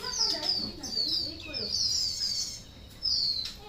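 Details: White-rumped shama singing short, high, clear whistled phrases that slide downward, in quick bursts with brief gaps, while low voices murmur in the background.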